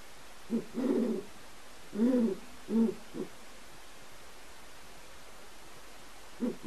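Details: Great horned owl pair mating in a large aviary, non-releasable birds studied for their vocalizations; squealing male and chittering female produce several low, harsh, buzzy bursts of varying length with short pauses, the first ones longest.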